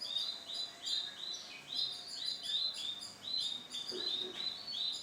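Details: Bright lemon-coloured male canary singing: a steady series of short whistled upslurred notes, roughly two per second, with a faint low thump midway.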